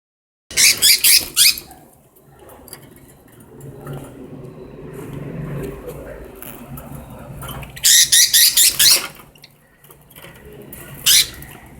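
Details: Pet budgerigars fighting over a mirror give harsh, scratchy squawking bursts of chatter in quick clusters, separated by quieter pauses; budgerigar (Melopsittacus undulatus).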